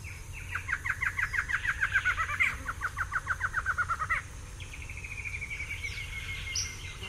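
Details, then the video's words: Duetting pair of barred antshrikes giving a fast rolling series of hollow barked notes that speeds up and ends abruptly, followed by a thin, level, repeated high trill from another bird species. "Barred Antshrike / MCU & MD Song From A Pair Of Duetting Antshrikes."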